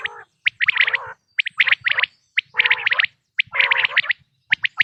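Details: Quail call for the hunting season: grouped bright chirps followed by lower harsh trills, the bursts returning about once a second with silent breaks between.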